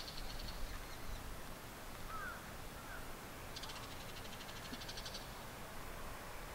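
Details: Two male Bull-headed Shrikes on a rooftop antenna and a treetop in Japan, early July 2014, exchanging calls in a territorial dispute: a faint high chatter early, then a louder stretch of rapid grating notes near the end.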